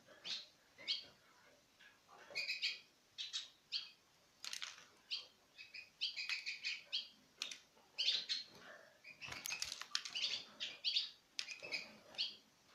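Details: Citril finches in pairs, recorded in 2016, take food from a hand. Lively bursts of thin chirps and twitters carry on throughout, with several sharp clicks.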